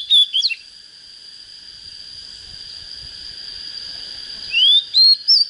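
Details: Young Oriental magpie-robin coming into breeding condition, singing short bursts of clear rising and falling whistled notes at the start and end, separated by a pause, over a steady high-pitched whine.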